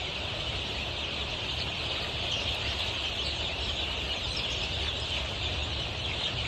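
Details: Twenty-three-day-old Golden Misri chicks on a poultry farm in Pakistan, many birds together giving a dense, continuous high-pitched peeping chorus without pauses, over a faint low rumble.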